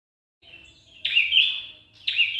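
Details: Prinia song: a faint thin note, then two loud buzzy high notes, each held about a second, in a quiet setting.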